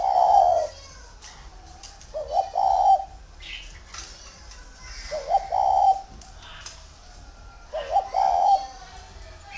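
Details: Spotted dove kept in Vân Hòa, Ba Vì, Vietnam, cooing steadily: four phrases spaced about two and a half seconds apart, each a stuttering pair of notes then a longer soft coo; faint chirps between.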